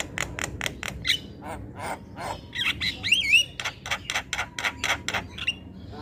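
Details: Javan myna in noisy, lively song on a training recording for other birds: rapid harsh clicks and rasps, a few twisting whistled phrases midway, then more rhythmic clicking.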